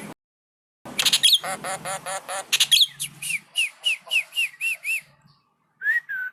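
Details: Asian pied starling singing with nodding movements: a harsh buzzy chatter of repeated harmonic notes, then a series of short bright upslurred whistles, ending in a soft wavering whistle.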